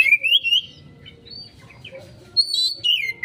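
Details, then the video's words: Kacer 'konslet' lure recording of an Oriental magpie-robin: a loud, upward-sliding whistled phrase, a lull with faint notes, then a high sustained whistle dropping into a lower slurred note. Quiet hum below. "Pancingan Burung Kacer konslet,respon cepat...!"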